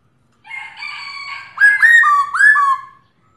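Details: Female black-throated laughingthrush calling a male: soft, harsh, buzzy notes lead into three loud, ringing whistles, each sliding up and then down.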